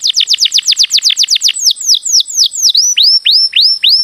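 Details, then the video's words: Canary tutor song for other birds: quick downward-slurred chirps about four per second, slowing into widely spaced rising whistled notes. "Masteran Mp3 Burung Kenari"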